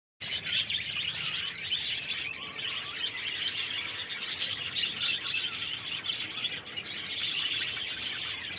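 Budgerigars chatter nonstop in a dense, high twittering warble of squeaks and chirps.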